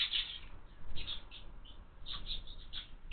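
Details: House sparrow chicks in a feeder mounted on a window give short, high chirps, scattered in small clusters across three seconds over a low background rumble.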